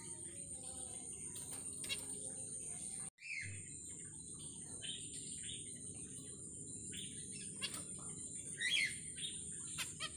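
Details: A zebra finch pair is kept in a minimalist plastic-plant aviary after dark. Several short, nasal, slightly rising calls follow a sharp bump, scattered through the second half. A continuous shrill insect whine is heard in the background.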